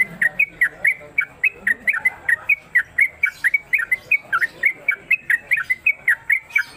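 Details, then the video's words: A captive Yellow-vented bulbul sings a fast, steady run of short, bubbly chirping notes, about three or four per second. The notes are mid-high in pitch and come without pause. "Trucuk Konslet Kemedol Berdurasi"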